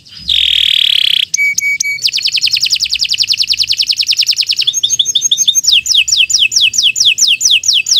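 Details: Canary (kenari) in long, continuous gacor singing for a morning session, used as a tutor song: a buzzy rolling trill, a few clipped notes, then a fast run of repeated chirps ending in high downward-sweeping whistles.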